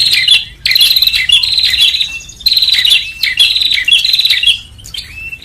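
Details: Prinia lure recording meant to gather birds quickly: high, scratchy chirping trills delivered in long, nearly continuous runs with brief gaps.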